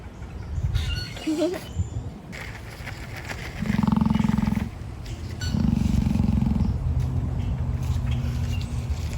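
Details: Emu at an animal park giving a threatening, dinosaur-like snort: two deep, pulsed rumbling bursts of about a second each, with a lower murmur continuing after, outdoors with faint background noise.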